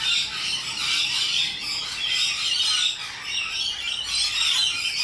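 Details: Wild rainbow lorikeets in Australia, a loud, noisy flock screeching together in a continuous harsh, rasping chatter of overlapping shrill squawks that swells and dips every second or so.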